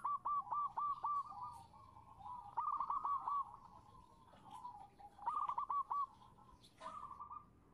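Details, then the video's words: Zebra dove female calling for a male: loud rolling bursts of clipped cooing notes, repeated several times, over a noisy, rumbling background. "suara perkutut betina memanggil jantan"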